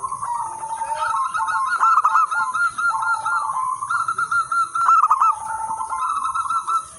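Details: Local zebra doves singing as a lure and master song for training other zebra doves; dense, unbroken bubbling coos with a staccato trill texture, overlapping phrases throughout, faint steady high whine in the background.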